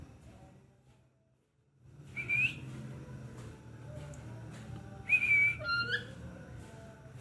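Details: Chattering lory from Ternate, a talking parrot kept as a pet, gives two clear whistled notes, one rising and one level with harmonics, a few seconds apart over a low indoor hum.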